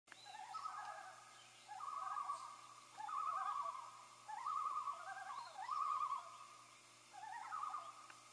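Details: Common loons calling to announce the hatching of their first chick: quavering, rapidly wavering phrases, each about a second long, repeated several times with short pauses, some overlapping, over a steady low hum.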